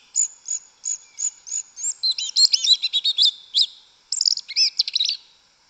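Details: Yellow-legged thrush singing its wild 'canto mateiro' in the forest: a series of evenly spaced high notes speeds into a rich jumble of chirps and slurred whistles, then quick trills.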